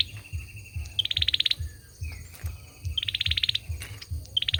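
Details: A male olive-backed sunbird repeats a fast, high, buzzy trill three times, each introduced by a short clear note. A faint thin whistle sounds in between, over a steady low hum.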